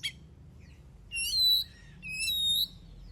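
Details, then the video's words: Oriental magpie-robin singing, a recording meant to prompt other birds to sing: two loud clear whistled phrases with harmonics, each about half a second long, steady and slightly wavering, over faint low background hum. "Suara burung kacer gacor paling ampuh buat pancingan"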